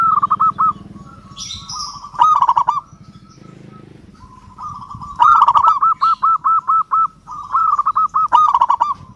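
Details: Local zebra dove challenging a rival, phrases of quick, rhythmic rounded coos, the longest with about eight even notes, broken by quieter stretches of low droning background.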